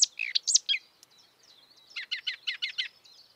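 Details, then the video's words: Wild marsh warbler delivering quick high chirps and whistles. A short lull follows, then an evenly spaced string of about eight rapid scratchy notes. "kicauan merdu burung marsh warbler / kerak basi di alam bebas"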